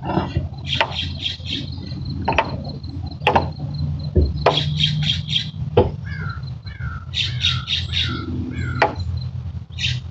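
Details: Barn owl chicks about 5–6 weeks old, wings forming and shedding white fluff, give harsh, hissing screeches in quick clusters of three or four bursts, with a steady low rumble underneath.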